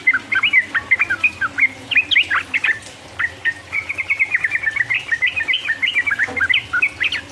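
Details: Sooty-headed bulbul singing the lively 'ropel uplik uplik' song used to provoke rivals. Bursts of bright, quick whistled notes come in irregular phrases, with a brief lull before a fast, steady run of chirps.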